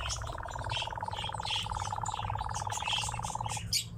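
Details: European nightjar on a ravine slope gives a dry, mechanical churr, a fast even trill on one pitch for several seconds, with higher chirps from other birds and a low rumble behind.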